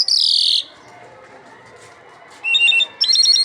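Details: A captive Iranian lark sings in loud, high, sweet bursts: an opening downslurred phrase, a pause, then quick stacked chirps and trills.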